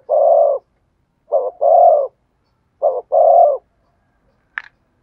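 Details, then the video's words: Deep, hollow coos of a spotted dove with the thổ sấm voice: one long coo, then two phrases of short hoot plus long booming coo, spaced about 1.5 seconds apart, ending with a sharp click. "cu gáy thúc gù giọng THỔ SẤM chuẩn nhất/ the cuckoo sings beautifully"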